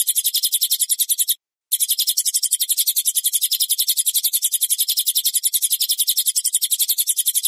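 Cililin singing a rapid, high, bright chatter of notes, about four per second and steady throughout, with one short pause; no other sounds.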